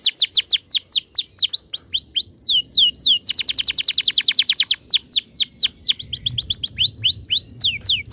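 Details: Canary singing a long rolling 'ngerol' song, offered as a tutor for young canaries learning to sing. Rapid high downslurred whistles in quick series, with a dense trilled roll in the middle, loud and continuous throughout.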